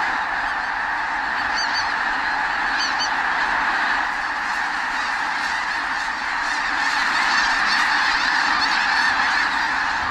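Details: Snow geese wintering near Klamath Falls, Oregon, in a flock of tens of thousands: a dense, unbroken roar of overlapping nasal honks with no pauses and a steady, massed chorus throughout.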